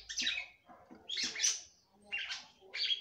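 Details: Kept female red-cowled cardinal singing to stimulate the male: four bursts of harsh, chirpy phrases separated by short gaps.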